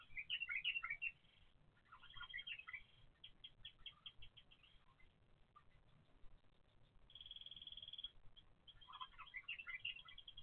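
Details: Bulbul chicks in a nest, filmed by surveillance camera from hatching to growing up, beg with bursts of shrill, high chirps and squeaks, separated by quieter pauses and one sustained thin note, over faint background hum.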